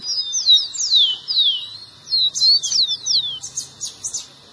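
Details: Loud rufous-collared sparrow song for stimulating a caged bird: long piercing whistles that slide downward, followed by shorter quick slurs and a few buzzy high flourishes, all on a high pitch.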